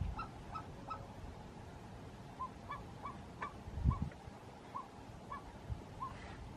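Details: Himalayan snowcock in the Gilgit-Baltistan mountains giving spaced, short honking notes, roughly one every half second, steady and slightly descending, over a background of low wind rumble and a thump near the middle.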